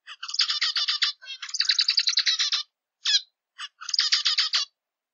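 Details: Repeated zebra finch song phrases: rapid buzzy note trains separated by short pauses, with a few isolated sweeping calls between bouts, all harsh and nasal, nothing else audible.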